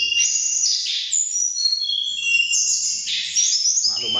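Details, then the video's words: Mountain tledekan birds, agitated on finding each other and dueling by voice, pour out a dense run of high warbled and whistled notes, then pause briefly before a second rich outburst; a short voice appears at the end. "BURUNG TLEDEKAN PENUH EMOSI"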